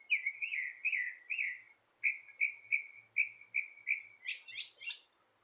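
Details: Bird outside a porch repeats clear downslurred chirps about twice per second, then closes with three quick higher, steeper notes; the background is quiet.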